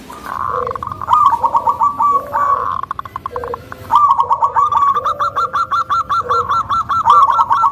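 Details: Local zebra dove with a rich, rhythmic voice that stirs up other zebra doves, repeating rolling coo phrases of quick, evenly spaced notes, with short pauses between the phrases.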